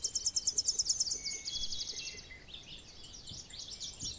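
A Tennessee warbler sings a fast, high chipping series that quickens and shifts pitch midway, then ends in a jumbled twittering run.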